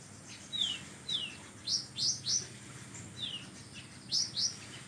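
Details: Oriental magpie-robin in full song with 'kapas tembak' imitation: downslurred whistles alternate with quick rising chips, delivered in loose groups of two or three across a few seconds, background hiss throughout.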